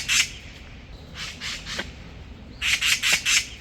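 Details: In a spring morning apartment-complex wood, an oriental magpie protecting its young on the ground from a cat gives harsh, rattling alarm chatter in three bursts of rapid grating notes, the last about five loud rasps, over quiet hiss.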